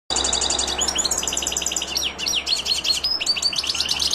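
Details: European goldfinch, linked to silvestrismo, singing a fast, high twittering song of bright chirps, short buzzy notes and quick downward slurred whistles run together without pause; a steady low hum sits underneath.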